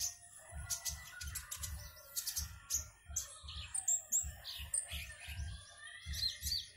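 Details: High sharp chirps and brief twittered runs from a caged konin of Singkawang, West Kalimantan, singing for an online competition, with dull low knocks pulsing underneath about every half second.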